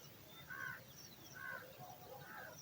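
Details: Hungry baby eagle awaiting dinner in the nest: two clear, hoarse, drawn-out calls about a second apart, followed by a fainter third, over a constant low hum.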